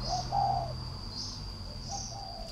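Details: Caged three-year-old decoy spotted dove from northern Vietnam giving two soft, low, hollow cooing phrases, the second fainter, over a steady high insect whine and brief buzzy chirps.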